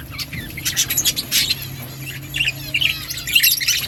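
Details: Budgerigars chirping: bursts of high, scratchy chatter and short squeaky notes overlap in quick irregular runs, with brief quieter gaps and a faint steady low hum underneath.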